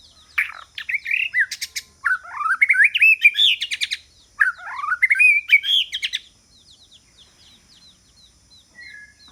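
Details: White-rumped shama singing as a decoy to attract rival birds: three bursts of rich rising whistles mixed with sharp clicking notes, then quieter faint notes with a steady high tone behind.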